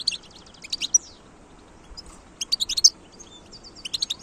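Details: European goldfinch caught from the wild, recorded in 2022, giving chattering bursts of high tinkling notes separated by short pauses, against a quiet background.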